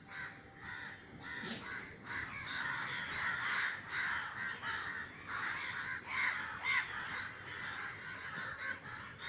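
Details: Many crows cawing as they fly over a garden in Sri Lanka after a neighbour fired a gunshot to scare them: overlapping harsh, hoarse caws repeated in quick succession.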